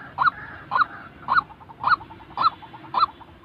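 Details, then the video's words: A white-breasted waterhen's call for training trapping decoys: six loud, hoarse notes about every half second, with soft chattering notes in between. "tiếng chim quốc thật"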